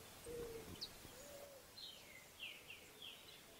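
Southern Beardless-Tyrannulet: a short run of about four high, thin whistled notes, each slurring downward. A couple of low, soft hooting notes come first.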